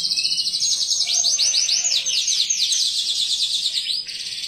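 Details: Canary song used to get other canaries singing: bright, high, fast trilled phrases and quick looping repeated notes, delivered in a steady unbroken stream.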